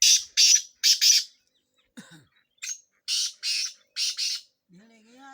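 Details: Black francolin (kala tetar) from Sindh, recorded for chakree training. Harsh, grating broadband bursts come in quick paired groups, then a short pause and another run of four bursts. A faint low voice is heard near the end.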